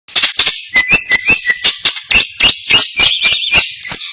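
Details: Greater green leafbird (cucak ijo) singing with a cililin-style fill: varied high whistled phrases and warbles, punctuated by sharp loud clicking notes at irregular intervals.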